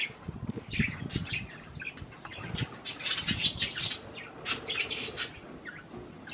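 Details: Pet budgerigars snacking on cherry tomatoes produce busy chirping and squawky chatter in repeated bursts, mixed with soft fluttering and rustling sounds.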